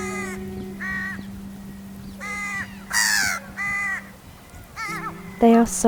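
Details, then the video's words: Juvenile crow begging for food from its two parent river crows on River Thames, West London, in August during a hot dry summer: nasal, wavering caws about every second, one harsher loud cry, over steady low hum. "Baby Juvenile Crow Begs"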